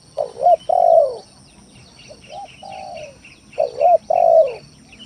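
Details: Spotted dove lure song, used to provoke rivals and lazy birds into calling. It has deep rounded cooing phrases: a loud two-part coo, then a softer, quieter repeat, then loud coos again near the end, with faint high chirps behind.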